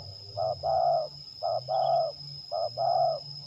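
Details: Zebra dove (terkukur) lure bird in a singing contest test, Liwa, West Lampung, Indonesia; three rhythmic phrases of a brief coo followed by a longer vibrating coo, roughly a second apart, over quiet background hum.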